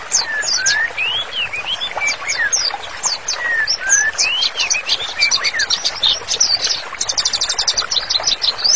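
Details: White-rumped shama in full song, presented as master song for therapy: mix of rising and falling mellow whistles and high sharp notes, ending in a fast rattling trill of repeated high chips.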